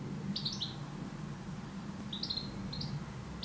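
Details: European goldfinch singing in a garden: short bright twittering phrases of high tinkling notes, one burst near the start and a few more clustered later, over a low steady background hum.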